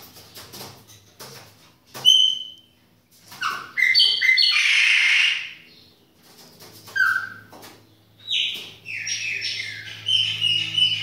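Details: Chopi blackbird singing indoors in a kitchen, delivering a varied phrase of loud whistles, slurred rising and falling notes and a harsh noisy burst, with short silences between phrases and a steady low hum in the background.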